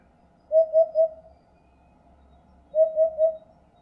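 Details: Eurasian hoopoe producing two series of three soft, hollow, evenly pitched hoots, the triples spaced just over two seconds apart, with a faint low rumble beneath.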